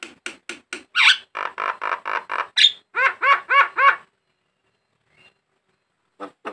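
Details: Lure recording of a Javan myna for caged birds: rapid harsh, rasping notes, then a few ringing, squeaky, arched notes, followed by a silence and two more short squawks at the end.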